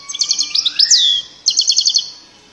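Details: European goldfinch singing loudly: a rapid twittering burst of high, tinkling chirps and a sharp downslurred note, a short pause, then a second quick run of bright repeated notes.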